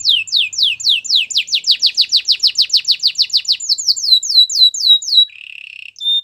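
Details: Canary song: a long, even run of quick downslurred whistled notes, about four per second, ending in a short buzzy trill and a clear high note.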